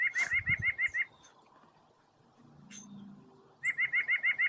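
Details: White-breasted Nuthatch, a bird that walks down trees using its tail as a balance, giving fast series of nasal, repeated notes, about six in quick succession, a pause with faint sounds, then another rapid series.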